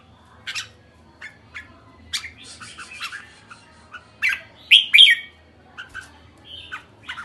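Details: Red-whiskered bulbul calling with scattered short chirps and clicks, then a louder whistled, warbling burst near the middle before trailing off into sparse notes.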